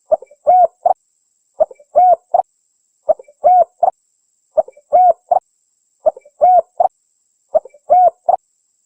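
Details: Steady series of spotted dove coos used to draw birds in the wild: six identical short phrases, each a quick note, a smooth low coo and a short ending, evenly spaced about every one and a half seconds.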